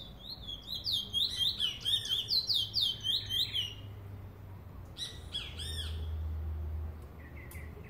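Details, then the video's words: Trinidad bullfinch delivering a quick, tumbling phrase of high, sweet whistled slurs for about four seconds, followed by a pause and a few short separated chirps, with a steady low hum underneath. "Trini bullfinch"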